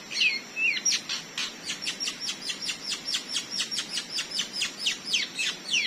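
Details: Wild forest white-rumped shama in Indonesia, fighting a trapper's lure bird: opens with a few whistled sweeping notes, then a fast, steady run of sharp, high, downslurred chips, about five per second, with a faint insect hum behind.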